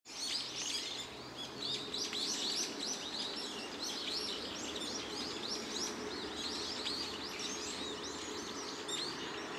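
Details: Large noisy flock of brown-eared bulbuls in the woodland of an ecology park on 29 March, gathering around a familiar visitor. Dense, overlapping shrill chirps and squeals run continuously without a break over steady background hiss.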